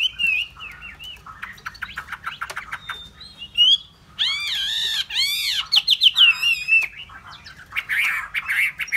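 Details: Hwamei song mixing soft chattering with loud, rich arched whistles repeated in a rapid series, followed by a busy burst of twittering notes.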